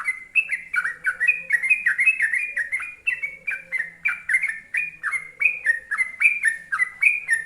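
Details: Trucuk, or sooty-headed bulbul, singing the long rolling 'gacor ropel panjang' style meant to set other bulbuls singing; busy, bubbling whistled notes slurring down and up in an unbroken chatter.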